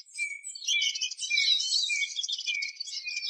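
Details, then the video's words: Eurasian siskin in a steady, dense twittering song with high chatter over a lower thin whistled line that repeats throughout. "EURASIAN SISKIN SONGS Spinus Spinus Singing"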